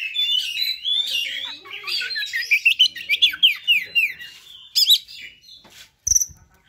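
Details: Oriental magpie-robin, a high fighter song used to provoke and excite other magpie-robins: rich varied phrases of whistles, fast downslurred notes and harsh buzzy bursts, dense and continuous, with a short sharp click near the end.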